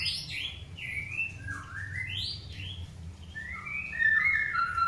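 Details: Long-tailed white-rumped shama being paired for breeding, singing a varied run of slurred whistles that dip and rise, some falling, others climbing, with busier overlapping phrases near the end over a faint low hum.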